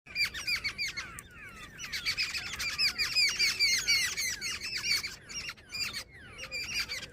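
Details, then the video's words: Jungle babbler, said to be female, giving dense harsh squeaky chatter, rapid overlapping notes in bursts with short pauses, several voices seemingly calling together in a natural outdoor setting. "Jungle babbler sound effect | babbler bird Sound Grey | female babbler ki video"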